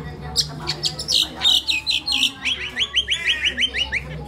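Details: Pet crested myna at home in the Philippines, a mimic, giving a jumble of squawky notes, then a quick run of about ten sharp, downslurred chirps, roughly three per second; faint hum underneath.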